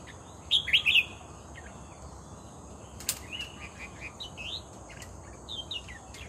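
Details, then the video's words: Red-whiskered bulbul at a decoy trap: a loud quick triplet of whistled notes, then a sharp click and scattered softer slurred whistles, with a steady shrill insect drone behind. "MERBAH JAMBUL GACOR"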